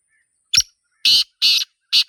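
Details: In the wild, a black francolin delivers a crisp opening click-like note, then a run of harsh, raspy notes spaced about half a second apart, with the final note cut short. The background is silent.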